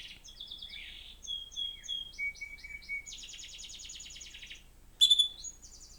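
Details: Pet male canary named Julius sings indoors in an apartment in Port Huron, Michigan, on 1 March 2025, while a canary song-training video plays to coax him. He gives a rapid high string of trills and rolling buzzy tours shifting pitch, ending in a sharp louder burst.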